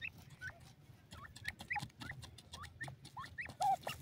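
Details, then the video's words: White pheasants give short, hooked, whistled chirps, rising then dropping, about every half second, over steady clicks and rustling. "white pheasants bird voice, pheasants lovely sound"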